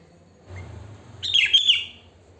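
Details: Natural wild song of a sooty-headed bulbul, used as a lure: a single bright, gurgling warbled phrase lasting under a second, preceded by a low hum in the background.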